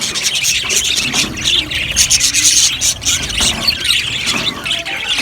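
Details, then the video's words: Colony of budgies in an aviary producing busy, shrill chirping and squealing chatter, many voices layered into a steady high-pitched din with brief louder bursts. "Amazing Budgies chirping sounds | Budgies parakeets sounds"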